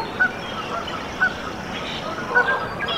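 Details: Freshly hatched Canada goose goslings in a nest in Decorah, Iowa, USA, April 14, 2024, giving thin short peeps, three sharp notes spaced about a second apart, against broad steady background noise.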